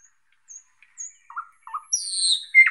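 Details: Thrush nightingale song fragment: brief thin high whistles, two low fluty notes, then a rising burst of noisy, hissing high sound ending in a loud sharp note.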